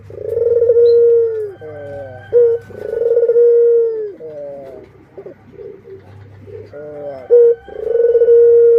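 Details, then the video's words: Pet Barbary doves, a parent with chicks, repeat a pattern of long sustained coos, each followed by clusters of short bent notes. The cycle returns roughly every three seconds over a low background hum. "Suara Indukan dan Anakan Burung Puter // singingsong Dove bird"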